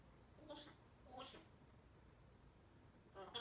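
A grey parrot speaks in short, voice-like bursts with harmonic tones, an imitation of a greeting, in a quiet room.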